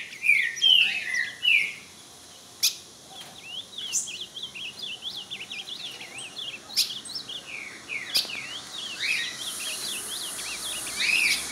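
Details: Ultramarine grosbeak singing and showing off at another, opening with loud slurred whistled phrases that dip and rise, then a busy chorus of quick high chirps from other birds over a steady high insect hiss.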